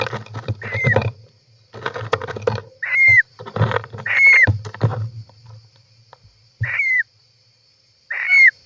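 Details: Inside a European roller nest, 18 July 2024: scattered rasping calls with a downward-bending whistled tone, four clear notes spread irregularly among scraping and rustling from movement in the nest.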